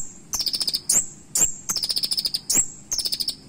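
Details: Kolibri ninja (Van Hasselt's sunbird) singing a sharp 'isian' song with bursting 'nembak' phrases: fast rattling trills of high, evenly spaced notes, each broken by a piercing upward-flicked whistle, repeated roughly every second.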